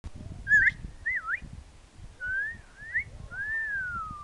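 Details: Parrot at Nowra Wildlife Park giving clear, wavering whistles: a short rising note, a looping swoop, two undulating mid-pitched phrases, then a long, slowly falling whistle, over low rumbling background noise.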